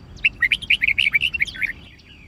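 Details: Red-whiskered bulbul, white-cheeked type, singing competitive fighting song for training birds; a quick chattering string of sweet, tumbling notes, about fifteen syllables packed into one and a half seconds.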